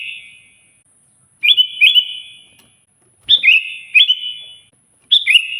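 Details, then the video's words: Sooty-headed bulbul singing loudly and persistently, its song meant to call a rival: bright bubbly whistled phrases with an echoing tail, three bursts about every two seconds after a fading opening note. "suara burung kutilang gacor keras, paling ampuh memanggil lawan auto emosi"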